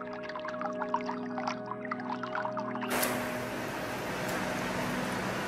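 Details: Layered musical tones with plucked notes give way midway to a sudden steady wash of broadband noise, with no animal voice heard.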